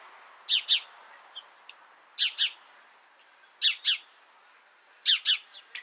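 House Sparrow giving paired, harsh chirps, two quick notes at a time, repeated every second or two against a quiet background.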